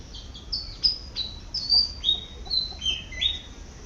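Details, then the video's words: Malaysian pied fantail in a garden while foraging, delivering a jaunty string of clear high whistles, some level and some sweeping upward, about three notes a second. "เสียงนกอีจู้ หรือ นกอีแพรด ร้องหากินในสวน"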